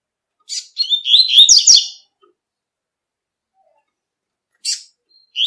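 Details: Double-collared seedeater singing in nature: a sharp chip, then a hurried tui-tui phrase of warbled, bright notes, a long silence and another high chip before the song resumes.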